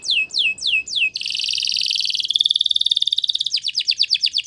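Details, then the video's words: Belgian canary singing: four clear downslurred whistles in a row, then a dense buzzy trill held for over a second, ending in a fast run of repeated sharp descending notes. "Belgian Canary Singing"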